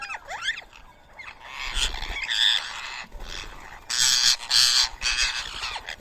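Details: Rose-ringed parakeets feeding on soaked boiled rice at 7 AM on 31 March 2024 in Coimbatore, India: harsh, overlapping screeching bursts that come and go, with thin sweeping whistles near the start.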